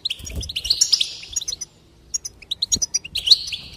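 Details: A goldfinch sings, used to encourage singing: a buzzy twittering phrase, a brief quiet gap, then scattered sharp chips and another nasal buzzy run, with soft low knocks.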